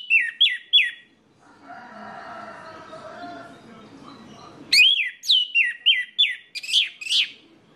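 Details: Orange-headed thrush lure song used to make other birds of its kind sing: three high slurred whistles, a pause with low indistinct background noise, then a longer run of loud, sharp whistled notes repeated several times a second.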